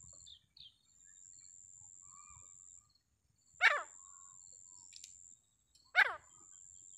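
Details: Two loud, harsh descending notes from a grey francolin about two seconds apart, over a thin continuous high whine, probably an insect, and a few faint chirps.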